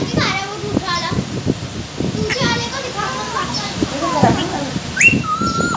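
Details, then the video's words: A parrot talking while eating: short speech-like phrases between crunchy clicks of chewing, ending with a sharp rising whistle and a long level whistled note. "mittu eating and talking"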